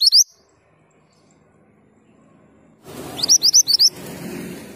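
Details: Singing male Pied Bushchat: a clipped high note at the start, then after a long quiet gap a quick run of about five sharp rising whistles over a low murmur of background noise.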